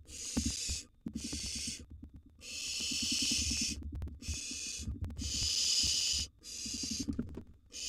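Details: Repeated rasping hisses from wild barn owl chicks at a nest box during feeding, six bursts of uneven length in quick succession, with faint tapping and movement noises.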